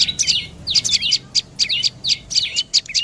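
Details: Short bursts of sharp, high chirps from a dark-necked tailorbird, grouped in twos and threes with brief gaps, each note ending in a quick downward slur.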